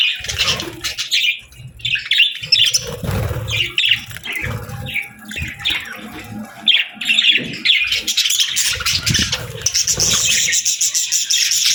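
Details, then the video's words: Pet budgerigars, said to be happy, chirping and eating: scratchy warbled chatter in bursts, interspersed with low knocking and crunching from feeding, growing into steady overlapping chatter toward the end. "Happy Budgie Sounds | Budgies Chirping & Eating Sounds"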